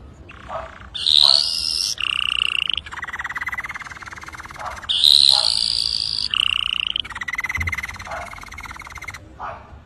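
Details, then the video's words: Red factor canary singing loudly: alternating rising whistled notes, steady clear tones and long fast buzzing rattles, the sequence repeating after about five seconds. "طائر الكناري ريدفاكتر"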